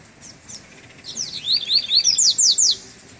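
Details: Double-collared seedeater coming out of moult, out for the first time in cold weather: soft opening chirps build into a fast series of about eight clear, high whistles that sweep down in pitch, ringing and evenly spaced.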